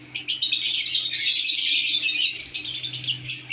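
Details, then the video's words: Newly placed pair of lovebirds chattering constantly in a thick wash of high, scratchy chirps and squeaks, with a steady low electrical hum underneath. "love birds k new pair lagay."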